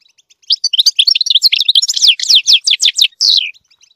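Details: Singing goldfinch teaching its chicks: a dense, loud outpouring of high liquid twitters and sharp down-slurred notes in quick succession, closing with a drawn-out descending buzzy note.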